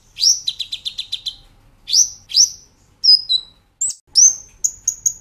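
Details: Training master of a Brown-throated sunbird: opens with a fast trill of repeated notes, then upswept chips, thin falling whistles and a string of short high notes.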